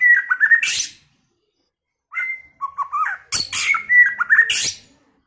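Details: Singing White-rumped shama: a short whistled phrase with quick downslurs ending in a harsh rasp, a pause, then varied fluting and warbling notes mixed with loud, scratchy high bursts, ending abruptly.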